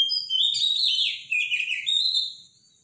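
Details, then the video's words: Loud morning Robin song: one continuous run of high, liquid warbling notes sliding up and down, fading out near the end. "Robin song in the morning"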